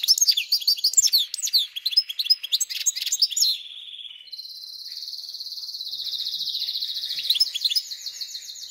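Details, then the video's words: Caged goldfinch-canary hybrid, newly arrived and already settled, in full song. The bird gives rapid varied twittering with sweeping notes, then a long, even, buzzy trill, ending in renewed chattering phrases. "смотрим слушаем как поет гибрид"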